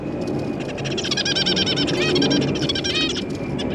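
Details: Captive zebra finches, a family of parents and young recently fledged from the nest, in a cage: busy overlapping high nasal chirps and short stacked honking notes, dense chattering over a steady low hum.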